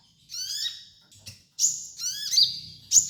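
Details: High sunbird song played as a training master: piercing chirps and slurred downward notes in quick, uneven bursts, with one brief harsh click mid-way.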